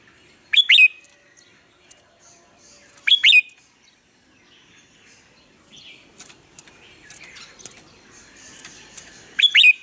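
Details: Red-whiskered bulbul morning song for training other birds to sing: three short, bright warbled phrases spaced a few seconds apart, separated by faint background chirps and quiet rustling.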